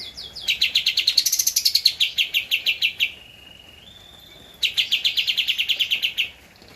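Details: Javan white-eye song for training caged birds: bursts of rapid, high-pitched chirping notes in a quick run, a pause with a thin steady tone, then another fast chattering sequence.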